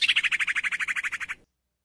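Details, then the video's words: Female sirtu's call to draw a male into song, a single rapid trill of about fourteen buzzy chattering notes, steady in pitch and fading slightly toward the end, on a quiet background. "Suara Sirtu Betina Ampuh Panggil Sirtu Jantan Jadi Gacor"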